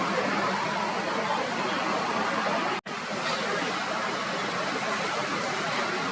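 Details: Steady broadband rushing noise like running water, with one brief silent drop-out midway and no animal calls.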